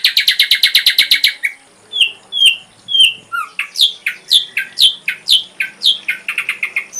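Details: Ashy drongo, full-repertoire tutor recording for songbirds: a rapid harsh rattle, then varied whistles and many quick downslurred notes, steep and loud, delivered about twice a second.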